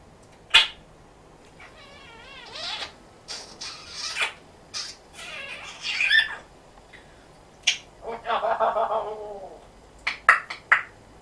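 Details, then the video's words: Kiwi, an African grey parrot that talks in a Yorkshire accent, chattering in bursts with wavering speech-like and meow-like phrases, sharp clicks and short high whistles. "African Grey"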